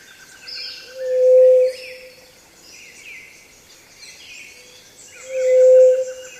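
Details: Low, pure single whoo of a pallid dove from Peru, each level hoot lasting under a second and spaced about four seconds apart, while other small birds chatter softly and high behind it.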